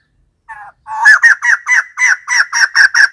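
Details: White-crested laughingthrush giving a loud series of harsh, cackling notes, about eight in quick succession at an even pace after a short opening note, like rhythmic laughter.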